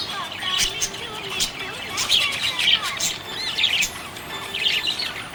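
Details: Budgerigars chirping happily, a busy flock chatter of high warbled notes and quick rising squeaks with short pauses, steady background hiss underneath.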